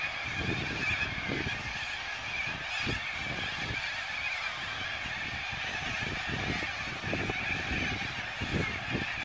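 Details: Corellas in their thousands settling to roost for the evening on the Onkaparinga river, a constant raucous screeching chorus, broken by repeated low rumbling thumps like wind gusts against the microphone.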